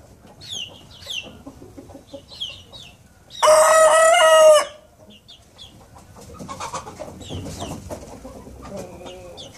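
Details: A young Collonca rooster, just beginning to crow, gives one short, hoarse, wavering crow of about a second, with thin chirps of small birds before and after.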